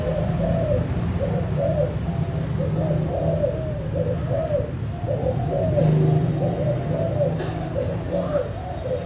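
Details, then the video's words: Spotted dove of a 'thúc gù' cooing line giving steady, low, hollow coos in quick repeated phrases throughout, over a constant low hum and faint background noise. "Chim tơ malai dòng thúc gù!"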